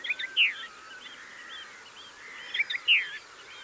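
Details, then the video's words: Mistle thrush singing on gorse near a blue tit and a yellowhammer: two short varied phrases of slurred, descending fluty notes about two and a half seconds apart, separated by a quiet gap with faint bird twittering. "Mistle Thrush (Turdus viscivorus) - singing on gorse bush"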